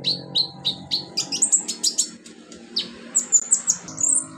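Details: Wild olive-backed sunbird in its natural habitat: a series of downslurred high chirps about every third of a second, then rising thin whistled notes and a high trill, over a soft low hum.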